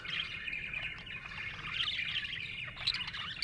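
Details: A contented budgie chirps nonstop: a busy, buzzy warble of quick twittering notes that ends with a few bright clicks, over a faint low background rumble.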